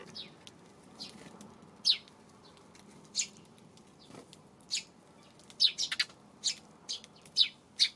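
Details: Eurasian tree sparrow calls on an afternoon of April 25: brief sharp high chirps at irregular intervals, coming closer together toward the end, over a quiet, faintly humming background.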